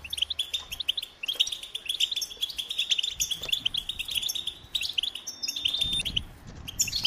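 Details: A goldfinch delivers a busy, high-pitched song of jangling chirps, fast trills and a few drawn-out whistled notes near the end, over a quiet background.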